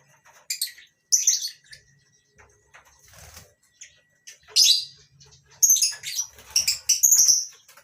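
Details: Colony of lovebirds, among them masked and Fischer's lovebirds, in a mini aviary at a breeding farm during the morning; scattered shrill squeaks and chirps from several birds, irregular and overlapping near the end, with soft rustling.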